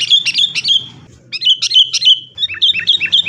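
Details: Sooty-headed bulbul song, recorded as a lure for caged birds, fighting: three bubbly clusters of clear whistled notes with short pauses between them, over a steady low hum.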